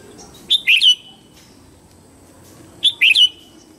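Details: Red-whiskered bulbul morning song, used to train young white-cheeked birds. The same cheerful phrase of three or four quick, slurred whistles is repeated twice, about two seconds apart.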